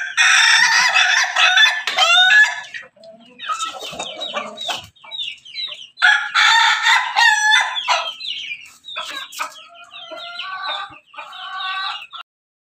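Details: Crossbred ayam ketawa and pelung rooster crowing repeatedly: loud harsh bursts followed by long chains of fast broken, laughing-style syllables, several crowing sequences across the recording.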